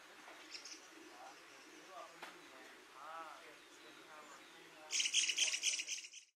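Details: Black-headed Jay in Pangot, India, in November 2023, giving a loud, harsh, rasping rattle of quick pulses lasting about a second, after quieter background chirps and faint distant calls.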